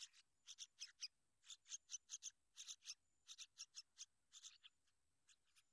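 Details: Sooty-headed bulbul guarding and tending its young, giving a steady series of clipped, scratchy chatter notes in pairs and triplets with brief pauses between groups.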